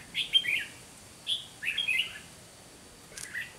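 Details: Trap decoy red-whiskered bulbul singing its fighting song: two short whistled, warbling phrases in close succession, followed by a quieter chirp near the end.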